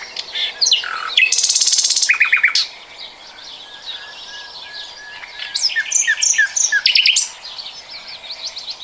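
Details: Nightingale song from 2020: a descending run of chirps gives way to a harsh rasping buzz and a fast rattle, a pause, then a lively sequence of rising and falling clipped notes.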